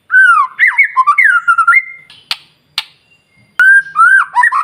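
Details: White-rumped shama morning song used to spark singing in other birds: rich sliding whistles ending in a long level tone, a pause with two sharp clicks, then the phrase restarts.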